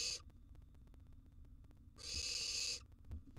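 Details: Wild barn owl nestling in a nest box during a meal of a large gerbil, giving a harsh, breathy hiss lasting almost a second after the tail of an earlier hiss, with a faint low rumble beneath.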